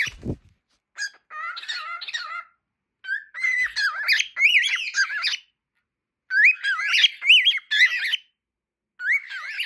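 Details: Two cockatiels chatter in bursts of bright, warbling whistles and squeaky chirps, rising and falling in pitch.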